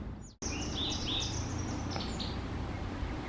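White Wagtail giving a few quick, high chirping notes over a steady low background rumble, like wind or distant traffic.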